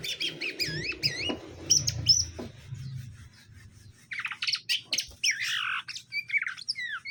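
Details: A male and a female greater green leafbird caged together for pairing; clear, wavering whistled notes that curve up and down, repeated in short phrases, with a soft knocking sound partway through.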